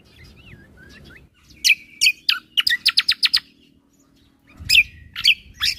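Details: Cucak kombo in lively 'full isian tembakan' song, made for training caged birds: soft curving whistles, then loud sharp chips and a quick run of about six bright notes, with more sharp notes after a pause.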